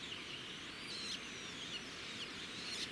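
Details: Red-backed shrike at its nest beside a road, in the wild: thin, high whistled calls and short slurred notes come in quick scattered bursts over a steady hiss of background noise.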